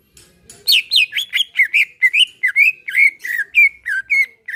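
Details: Greater green leafbird singing a relaxed song used to prompt other leafbirds to sing: a fast run of sweet, slurred whistled notes, some dropping and some rising, delivered about three per second after a faint opening.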